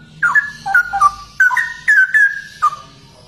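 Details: Cucak rowo, or straw-headed bulbul, singing rolling liquid whistles in linked phrases, each sliding down and then up again, loud and mellow, with short breaks between groups.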